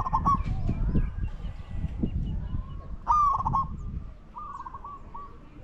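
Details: During decoy luring of wild doves, a spotted dove gives several rolling coos, a sharp falling note followed by quick stuttered pulses, then a softer trailing series, over heavy low rumbling and knocking sounds.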